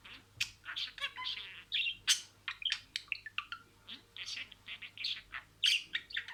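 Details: Budgerigar saying imitated words: quick sharp chirps mixed with breathy, speech-like syllables, arranged in phrases with irregular short pauses.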